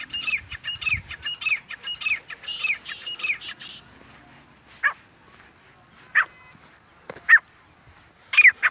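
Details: Francolin calling in the wild jungle: rapid grating, hooked notes packed together for nearly four seconds, then quiet with a few isolated sharp squeaky notes spaced about a second apart.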